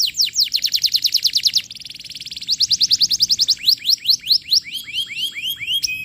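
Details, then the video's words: Vigorous canary lure song for teaching young birds: quick rattling trills of steep falling notes, a brief buzzy roll, more rapid trills, then slower, spaced whistled swoops near the end. "Suara Pancingan Kenari Gacor, Cocok Untuk Materan Paud Kenari"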